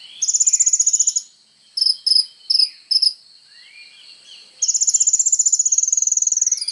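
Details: Training material for songbirds from a kolibri ninja sunbird: a fast high trill of rapidly repeated notes, several separate sharp chirps, then another long even trill, with faint lower sweeping calls between.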